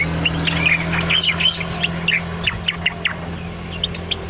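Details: Energetic cucak loreng bulbul song used as master or lure material: clustered chirping whistles at first, then spaced sharp notes roughly every quarter second over a steady low hum.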